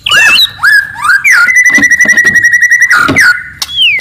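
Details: Forest white-rumped shama, loud and very aggressive, singing to provoke an opponent: looping whistled notes, then a long steady whistle overlaid with a rapid pulsed rattle, closing on a descending slur.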